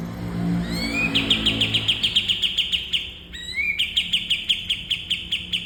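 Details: Cream-vented bulbul singing a master song for training caged birds. Upward-sweeping whistles open two long runs of crisp, rapidly repeated chip notes at steady pitch, with a faint low hum early on.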